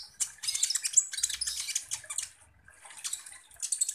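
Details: Kolibri ninja sunbird in active song, used as a lure against other birds. Fast, high scratchy twitters, a run lasting two seconds, a lull, then short bursts of sharp chirps.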